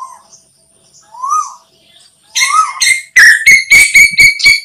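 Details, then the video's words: Asian koel call played as a hunting lure: a few soft rising notes, then a loud rapid series of sharp, harmonic-rich notes about four per second, slightly harsh and distorted. "Tiếng Tu Hú Mồi Bén Nhất Cho Ná Thủ"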